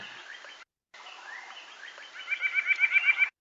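White-breasted Nuthatch giving a quick run of nasal, evenly pitched notes, about eight in the last second, with other birds chirping in the background.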